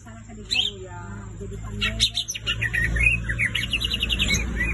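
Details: Cucak ijo, the green leafbird, in full vigorous song: after a short opening note, a rapid string of sharp chirps and rising and falling whistles runs on for nearly three seconds over a steady low hum.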